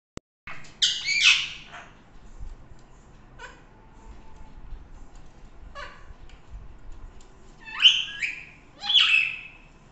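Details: A pet talking parrot at home gives harsh, loud squawks, one pair near the start and another two close together near the end, with quieter clicks and soft room noise between.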